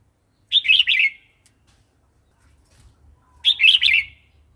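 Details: Red-whiskered bulbul singing wild-style song for training young and wild-caught birds: two loud, warbling phrases of three quick liquid notes, about three seconds apart, with low soft rumble between.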